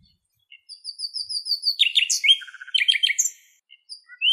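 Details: Grey partridge family in Greece, parents with about twelve chicks crossing a road, the mother visibly anxious: thin, high peeping notes, then a burst of harsh, scratchy rasping calls that overlap and tumble quickly before fading.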